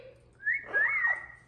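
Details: Amazon parrot kept as a pet, happy at being let out and calling the household cat; two clear, sliding whistled notes, the second longer and gently rising then falling.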